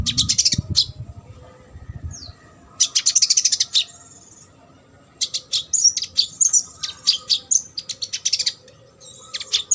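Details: Brown-throated sunbird in busy, varied song, recorded to train competition birds. Dense buzzy bursts alternate with clipped, high, sharp chirps in a fast, uneven rhythm, and there are low thumps at the start.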